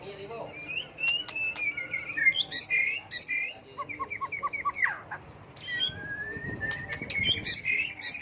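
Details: A white-rumped shama sings a multi-voiced song that keeps switching phrases, used to provoke other birds to sing; long whistled notes, a quick series of short chips, then high sharp notes follow one another.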